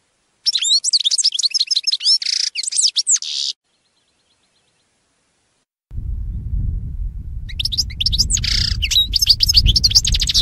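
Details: Tutoring song of a European goldfinch for captive birds: a three-second burst of rapid twittering and rasps, a silent pause, then a low rumble before the chattering, buzzy song resumes.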